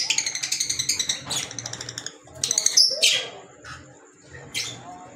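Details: Green Fischer's lovebirds calling: a fast run of sharp, shrill chirps repeated about four times a second, then scattered high squeaky notes and short harsh bursts with brief pauses.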